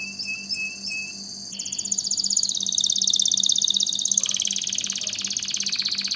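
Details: Canary song: a few chirped notes, then a long buzzy rattling trill stepping between pitches, with a faint hum in the background.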